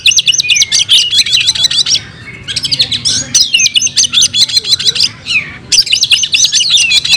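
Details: Oriental magpie-robin (kacer) in full fighting-style song, unloading its repertoire of fill-in phrases: loud, rapid, varied high chirps, whistles and buzzy trills in dense bursts, with brief pauses near two and five and a half seconds.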